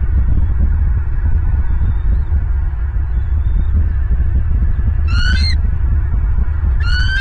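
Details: Bald eagles at their nest in Southwest Florida, live nest camera, morning of 23 January 2023: constant heavy wind rumble, then two short high chittering calls with descending notes near the end.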